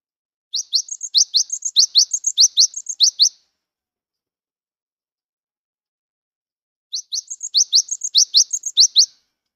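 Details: Cinereous tit, a young bird in transitional plumage singing actively, used as a lure to prompt silent birds of its kind to sing: two bursts of rapid, sharp, high chirping notes, each lasting about three seconds, separated by a quiet pause.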